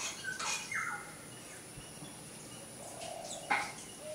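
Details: Female Asian paradise flycatcher in a front yard in Sri Lanka, giving a few short, harsh, scratchy call notes spaced irregularly over a few seconds, against a quiet outdoor background.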